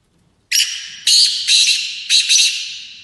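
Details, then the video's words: Black francolin calling during a trial match in London, UK: loud, harsh, grating notes in short bursts, a long first phrase followed by several rasping, scratchy segments that fade slightly at the end. "Kala Teetar Ki Chakri In UK"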